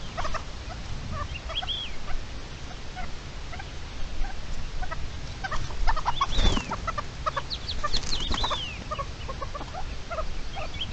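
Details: Red-legged partridge guarding its chicks on 29 May 2023: scattered harsh clucking notes and a few higher slurred calls, broken by a loud rustling burst midway, all over heavy low-pitched background noise.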